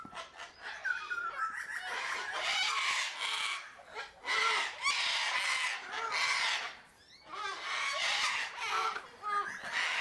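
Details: A sulphur-crested cockatoo (Cacatua galerita) gives loud, harsh, grating screeches in a rapid series of bursts, each a second or two long, with brief pauses between.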